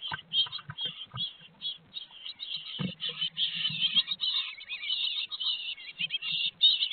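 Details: Great tit chicks begging in a nest box at Théding, France, on 18 May 2022 while parents feed them, a dense, continuous high buzzy chorus of hissing chirps with low thumps and rustling from the nest.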